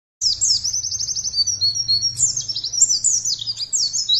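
A white-eye sings a high, rapid, twittering warble: thin notes run together without pause, then break into quick, jumpy phrases. A faint low hum sits beneath.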